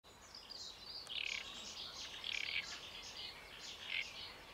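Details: Great reed warbler singing at Paxton Pits Nature Reserve on 28 May 2016: harsh, grating bursts of chatter come in three louder surges about a second apart, over a steady faint background hiss.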